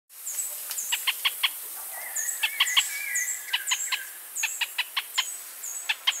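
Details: Pinto's spinetail (Synallaxis infuscata) song: short, harsh, clipped notes in quick runs of three or four, repeated about every second, with thin high chirps and a brief whistle from other birds.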